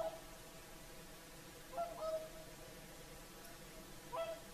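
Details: Evening song of whooper swans at sunset by Lake Saimaa in Finland: four nasal, horn-like trumpeting notes, spaced irregularly, two in a quick pair mid-clip, with soft steady background noise.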